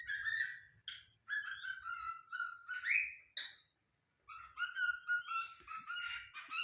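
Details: Pet cockatiel acting possessive toward wild birds: a run of loud, clear whistled notes, some long and level, one sharply rising, in bursts separated by brief pauses, with a low rumble beneath.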